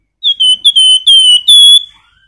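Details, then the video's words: Flamboyan bird singing nyiul, meant to stir other birds to sing: a quick run of five high whistled notes, each flat and level, ending in a longer ringing whistle, with a quiet background. "Raja Nyiul Burung Flamboyan cocok untuk pancingan"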